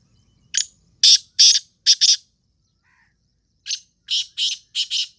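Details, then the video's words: A Sindhi black francolin (kala teetar) gives its harsh, grating call twice: a phrase of five rasping notes, a pause of about a second, then the phrase again, against a quiet background. "کلا تیتر کی آواز"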